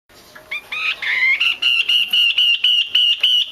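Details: Female Chinese hwamei call, used by bird keepers to stimulate males to sing: a few gliding whistled notes, then a fast run of short, buzzy, harmonic-rich notes at one steady pitch, about four per second.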